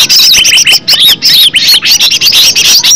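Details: Original wild green leafbird voice, used to lure caged birds. Rapid, twittering high whistles with bending slurs, run together at a hurried, irregular pace.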